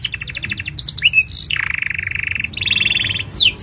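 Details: Canary in full continuous song, a master recording for tutoring young birds: fast pulsed trills, a long buzzy rolling tour near the middle, then rising whistled sweeps, over a constant low hum.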